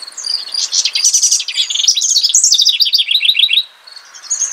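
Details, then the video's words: A house wren (Troglodytes aedon) delivers one long, tumbling burst of scratchy, bubbling trills that descends in pitch, then breaks off. Quieter high, evenly spaced chirps continue after the song stops. "Singing House Wren.(Troglodytes aedon)."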